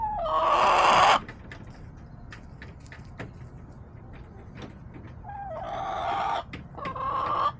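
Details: Roosters crowing in a backyard flock on an October day: one long crow at the start, then quiet clucking and clicks, then a second crow and a rising third crow near the end.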